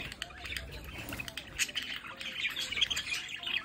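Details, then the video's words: Household budgerigars at a window chatter together, a continuous buzzy warbling with sharp chirps growing denser toward the end. "Sonidos para Periquitos Australianos en casa"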